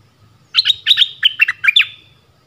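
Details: Streaked-eared bulbul giving a quick phrase of about six bright, bubbly chirped notes run together over roughly a second, sliding up and down, with a faint low hum beneath.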